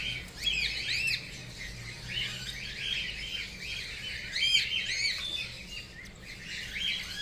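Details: Young cockatiel chick giving bursts of raspy chirps and short rising squeaks, some louder sharp notes mixed in, continuing irregularly over a low background hum.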